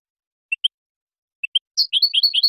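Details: European goldfinch, clean song recorded to educate young birds and for competition: two widely spaced double chirps followed by a lively, rapid twittering phrase.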